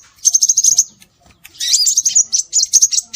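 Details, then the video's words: Scarlet minivet (sepah raja) calls used to lure birds: a fast pulsing run of high thin notes, a short pause, then a chattering sequence of twisting high whistles and pips. "Suara Burung Sepah Raja"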